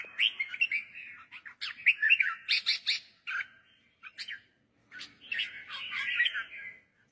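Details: Warbling red-whiskered bulbul song, used to train young birds or stir birds up. Quick runs of whistled notes and sharp chirps, a silent break near five seconds, then a longer rolling phrase.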